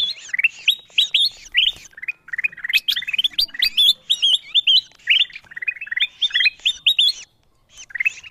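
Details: A bulbul calling sound used to lure wild birds: busy, excited chattering of clipped, upward-flicking chirps, packed in fast groups of three to six, continuing for over seven seconds.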